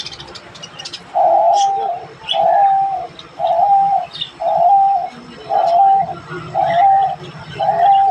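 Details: A pet diamond dove gives seven soft, mellow coos of even pitch, about one per second, with faint high chirps from other small birds behind.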